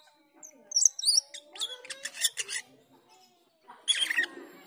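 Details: Black-winged myna (jalak keling) giving teler and ngriwik lure calls for training cucak keling: high squeaky notes, a run of rasping bursts, a pause, then a final harsh outburst.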